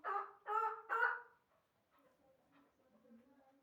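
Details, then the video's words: Partridge hybrid of chukar stock giving three loud, harsh, throaty notes in quick succession, followed by faint low murmurs. "Кабки гибрид"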